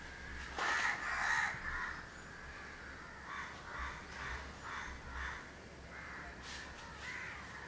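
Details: House crow pair grooming each other at Candolim, Goa, in December 2010; two loud, harsh, buzzy caws open, then a run of softer, nasal calls repeated about every half second over steady background hiss.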